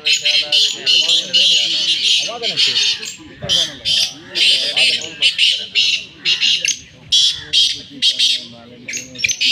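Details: Black francolin giving its fast chakri calls amid greenery: harsh, grating, high-pitched calls in rapid bursts, repeated roughly every second with brief pauses between phrases.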